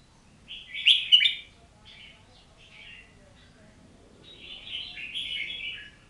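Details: Oriental magpie-robin song: a loud cluster of bright whistled notes, then softer scattered phrases and a longer warbling run at the end, all high-pitched against a quiet background.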